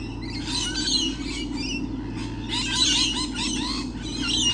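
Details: Numerous lorikeets on 28 November 2013, early morning: a dense, continuous chorus of harsh, rasping screeches from several birds calling over one another, above a low mechanical hum.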